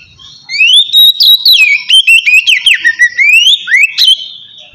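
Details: White-rumped shama singing relaxed 'ngeplong' style to provoke lazy birds: a continuous stream of loud swooping whistles and sharp clipped notes, rising and falling.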